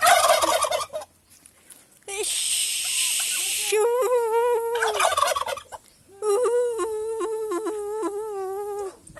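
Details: Domestic turkeys in Aratoca, Colombia, answering their owner's calls, gobble in rapid warbling bursts, a fast rattling gobble repeated several times with short gaps over a breathy rushing noise.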